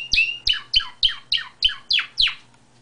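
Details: Domestic canary singing freely outside its cage: eight sharp chirps falling in pitch, repeated about every third of a second in a steady series, with each note loud and clear.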